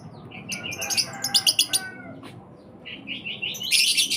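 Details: Lovebird chicks kept by a breeder: quick bursts of harsh, high chirps in rapid series, a short lull, then softer repeated notes swelling into a dense, scratchy chatter at the end.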